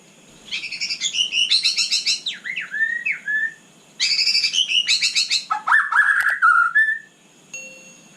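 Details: At night, a white-rumped shama delivers fast varied song: buzzy rattling trills mixed with clear slurred whistles, two long bursts with a brief gap.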